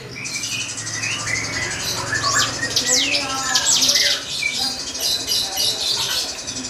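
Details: Drongo song meant to stir up a rival: varied high whistled sweeps and looping slurs with scattered lower chirps, partly masked by a constant hissing background.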